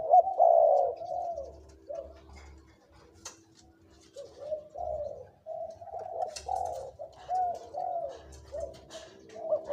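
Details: Decoy spotted dove aged two to three years calling in big, medium and small voices: a long, steady series of low rolling coos, loud at first, then softer, with faint clicks behind.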